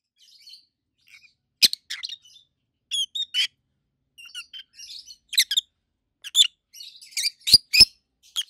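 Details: Two adult captive rosy-faced lovebirds, a red-head green opaline and a white-head pallid aqua opaline, over a year old, give loud, high, harsh chirps in scattered bursts, some doubled, with softer chatter between them.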